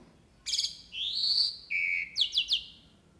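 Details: Jalak uret starling song: a sharp chirp leads into a long rising whistle, then a lower sustained flat whistle, closing with three quick bright notes; little background noise.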